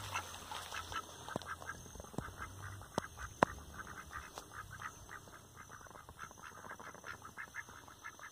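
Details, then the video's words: Rouen ducks kept by a breeder, heard as a run of short, nasal quacks repeated quickly in a quieter scene, broken by a few sharp clicks or knocks. "Marrecos Rouen"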